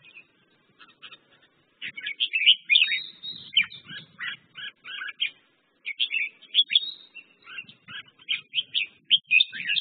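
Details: Red-whiskered bulbul giving dense bursts of chattering, warbled notes after a short quiet start, with phrases crowding together and a faint low rumble beneath.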